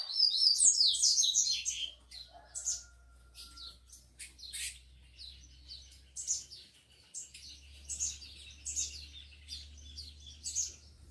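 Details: Rufous-collared sparrow (tico-tico) from a bird breeder, heated males with lively females: a loud two-second burst of high, slurred warbling notes, then sharp high chirps and short twittering phrases repeated irregularly, over a low steady hum.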